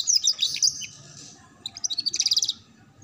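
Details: Canary song used to train young canaries to learn a ngeriwik sound: high rapid twittering notes, then a quick run of evenly repeated chips after a short pause.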